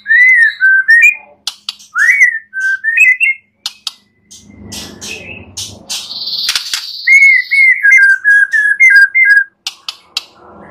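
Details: Murai batu, the white-rumped shama, singing a full isian training song to prompt other birds to sing: sweet whistled phrases, then a harsh rasping burst, then a quick run of repeated down-slurred whistles.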